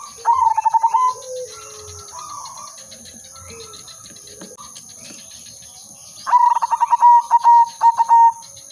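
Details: Zebra dove of the silver udanmas type singing as a lure for trapping: two phrases of rapid stuttering notes running into a trilled, gently falling coo, separated by soft background coos, with a steady high whine and low thumps behind.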